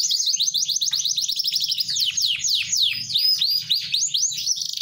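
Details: Captive canary in vigorous song, opening with a fast buzzy roll of tiny repeated notes that shifts into looping downward-slurred whistles, bright and high, over a soft low background hum.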